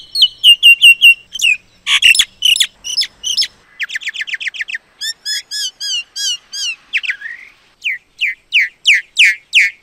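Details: Varied Common myna song mixing fast repeated ticking notes, harsh chattery bursts and rising-falling warbles, closing with a series of loud, evenly spaced downslurred whistles.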